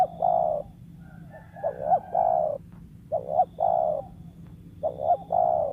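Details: Spotted dove, a wild bird used to lure others, cooing three times in a row, each phrase a stuttering pair of short notes ending in a long mellow coo, steady low hum behind.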